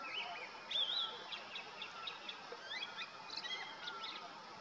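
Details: A male Grey-winged blackbird in the Uttarakhand Himalaya in summer gives a brief whistled phrase, then scattered high chirps and short notes over steady hiss, with Hill Barbet 'piao-piao' calls echoing through the valley.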